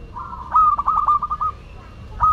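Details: Singing zebra dove of local Madura stock: a soft purring coo that breaks into a run of about eight rapid, evenly spaced notes, then a pause and a fresh held tone.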